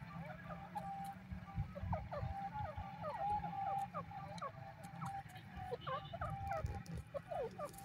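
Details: Grey francolin, the Dakhni teetar of India, calling in a series of short, clear, rising whistled notes repeated rapidly for several seconds over a steady low rumble.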